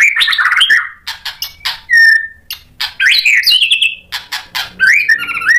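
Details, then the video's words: Provoking song of a white-rumped shama: quick rich whistled phrases, sharp clicks, a clear drawn-out whistle and rapid high twitters, delivered in loud bursts with brief gaps. "MURAI BATU GACOR memancing EMOSI jadi BUNYI NYAUT BONGKAR MATERI ISIAN | PANCINGAN MURAI batu"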